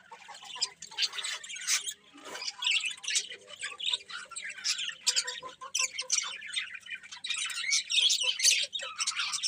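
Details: Morning bird chatter, a crowd of squawky and chirpy high notes in uneven bursts, quieter at first and growing busier toward the end over a faint steady hum.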